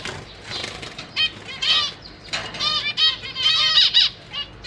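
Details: Caged zebra finches, a pair with three juveniles and three new fledglings being fed: bursts of overlapping nasal, stacked chirps from several birds, quickening in the second half, with wing flutters.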